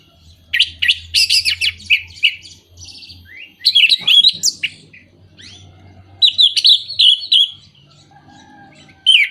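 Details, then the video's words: Orange-headed thrush singing, played to encourage birds that are moulting, not singing or lacking breeding condition; rich medley of sharp whistled notes, fluttering trills and mimic-like chirps in bursts of a few seconds, over a soft low background hum. "Pancingan Burung Anis Merah Mabung, Macet, dan Kurang Birahi"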